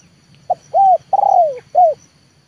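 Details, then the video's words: Decoy spotted dove, leopard type, trained for luring wild doves down to the yard. It utters one mellow four-part cooing phrase whose long third coo slides steadily lower, and the phrase closes with a brief coo. A low hum runs underneath. "TEKUKUR LEOPARD AJARAN RASA PIKAT, BERJUANG UNTUK MENURUNKAN BL KE LAMAN"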